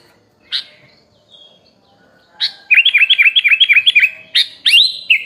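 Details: Recorded as a training song for songbirds, a sooty-headed bulbul with rich fill-in phrases gives a few scattered sharp notes, then a quick even series of about ten dipping chirps, ending in a rising slurred whistle.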